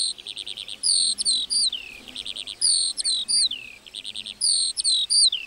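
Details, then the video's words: ['Meadow lark song built from short buzzy trills followed by sliding high whistles that drop in pitch, the phrase pattern recurring several times with brief silences between.'] "Singing lark in the meadow"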